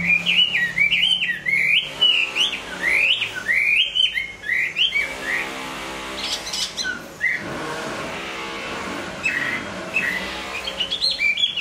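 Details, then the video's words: Hwamei in moult singing a rapid string of rising, bouncing whistles for several seconds, followed by scattered fainter notes over a rumbling engine-like noise and harsher background sounds. "Hoạ mi hót khi đang thay lông"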